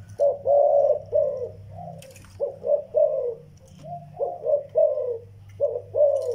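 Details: Zebra doves, a young bird and an old Vietnamese decoy, giving fast stuttering coo notes in quick clusters, rounded and slightly descending, with a deep background hum and a brief knock.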